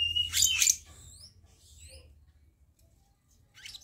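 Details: Black-naped monarch lure recording: a harsh, buzzy double burst, followed by a few thin rising-and-falling whistles and quiet pauses, then another harsh burst at the end.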